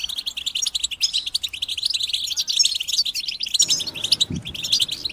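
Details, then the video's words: European goldfinches chirping as a group in a steady, packed flow of high tinkling twitters and trills, with a soft low knock near the end. "بتبتة جماعية تساعد الحسون على التغريد والخروج من مرحلة غيار الريش"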